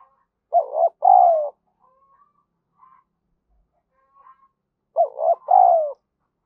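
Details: Spotted dove used as a decoy, cooing to lure and stimulate wild doves to answer. Two low, throaty coo phrases, each a short stuttered note followed by a longer falling coo. The phrases are about four seconds apart, with faint soft notes between them.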